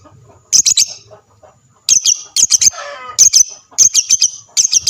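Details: Lovebird chirping to draw answers from other lovebirds: shrill high notes in tight groups of two or three, repeated about once a second, with a brief raspy noise midway.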